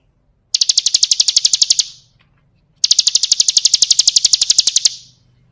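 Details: Bar-winged prinia training song, called ciblek kristal: two separate bursts of quick, high, ringing trills, each about one and a half seconds long, divided by a short quiet pause.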